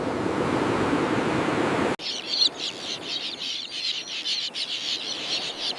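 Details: Common tern breeding colony: after a sudden cut, a busy mix of high, harsh chattering calls from many birds, overlapping and irregular, with a soft windy hiss beneath.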